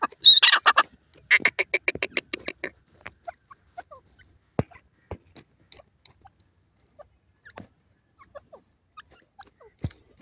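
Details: Grey francolin, locally called teetar: a loud, harsh burst of rapidly repeated pulsed notes fills the first two and a half seconds, followed by scattered soft clicks and ticks over near silence.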